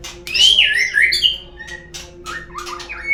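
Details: Lure song of a white-rumped shama, played to get birds singing: a loud, rich warbled phrase of swooping whistles, then quieter short whistles and chips.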